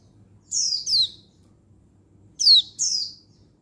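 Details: Female Oriental white-eye (pleci) calling males, recorded 19/11/22: two quick pairs of high, slurred, falling notes, each pair about half a second long, separated by nearly two seconds of quiet.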